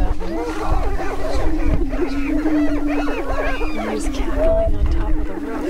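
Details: Greater prairie-chickens on a spring lek in northwest Minnesota near Crookston, 27 April 2013, during the mating dance: a steady, low, hollow moaning boom under a busy chorus of whooping cackles and yelps from several males at once.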